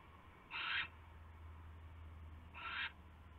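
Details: Owl bringing a huge rat to its nest past midnight on 27 January 2016, caught by a live camera; two coarse hissing screeches two seconds apart, the second softer, over a steady low hum.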